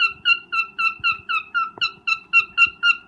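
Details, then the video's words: Cockatiel mating call recorded during breeding: a steady series of bright, slightly falling chirps, about four per second, each with clear overtones, over faint low clicks and knocks indoors. "Cocktail mating call/sound"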